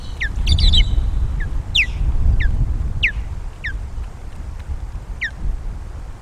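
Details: Osprey guard calls at a Loch of the Lowes nest, 12 May 2022, raised as intruding ospreys arrive: a tight cluster of shrill whistles, then single falling whistles spaced about half a second to a second apart, strong wind throughout.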